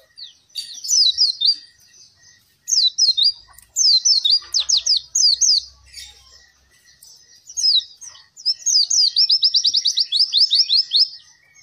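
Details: Captive-training song of Oriental white-eye, meant to coax birds that are reluctant to sing: loud, rapid high twittering bursts of slurred notes and fast trilled runs, separated by brief gaps.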